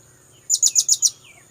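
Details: Blue-crowned hanging parrot call used for luring birds, five shrill, closely spaced high chirps in rapid succession lasting about half a second, with a faint bird note sliding in afterward.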